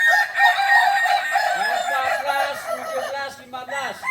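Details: At a practice gathering in Solok, West Sumatra, Kukuak Balenggek ornamental chickens crow. A sustained, strained crow is overlaid by lower, repeated arching notes from another rooster, with the syllables running one into the next.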